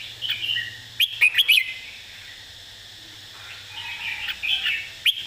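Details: Red-whiskered bulbul singing a clearly phrased model song. A brief warble leads into a crisp run of four ringing whistled notes, then gentler warbling and one last sharp note.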